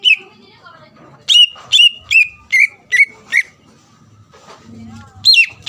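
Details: Greater green leafbird song aimed at provoking rivals to reply: a string of loud whistled notes at a steady pace, a short lull with faint background sounds, then renewed whistles.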